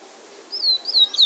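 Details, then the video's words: Bullfinch singing in Trinidad in the drawl and wheet drawl style: a short burst of two or three high, sliding whistled notes, the last one dropping sharply. "Bullfinch singing drawl and wheet drawl"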